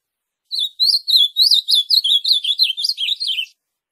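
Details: Warbled song of the azulão (ultramarine grosbeak), meant to stir a captive bird to sing: a three-second burst of rapid, looping whistles, evenly loud, with clean silence around it.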